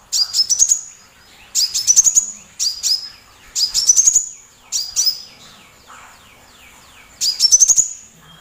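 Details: Loud sunbird song used as a master recording to provoke other birds such as magpie robins into singing: bursts of high, sharp chittering notes that climb in pitch, repeated in short phrases with brief pauses between them.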